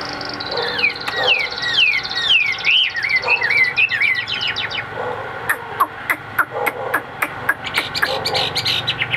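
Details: Caged Chinese hwamei sings loud, looping whistled phrases that swoop up and down, followed by scattered sharp clicks and tapping sounds.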